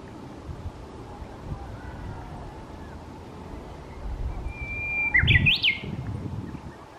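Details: Japanese bush warbler song near the end: a sustained whistled note followed by a brisk rising and falling flourish, over steady low rumbling background noise.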